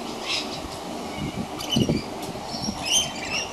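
Scaly-breasted lorikeets give thin, shrill, chirping screeches in short bursts, building near the end, over a low rumbling background like distant traffic.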